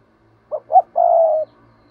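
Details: Spotted dove's provoking 'thúc gù' coo, meant to make wild doves coo back: two brief notes followed by a sustained smooth coo, with a faint low hum underneath.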